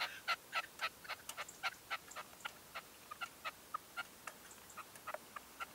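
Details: Red-legged partridge kept as a decoy, calling at daybreak in 2023: brisk, evenly spaced chuck notes, about four each second, running without a break and fading slightly near the end.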